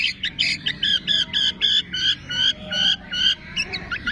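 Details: Long-tailed shrike song imitating cililin, fighting sparrow, lovebird, tengkek and kapas tembak: harsh, squawky two-toned notes repeated a little over twice per second in a steady, scratchy series.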